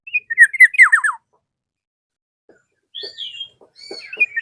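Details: Black-naped oriole, calling a rival: loud falling slurred notes in a quick series, then thin whistles mixed with low soft knocking sounds.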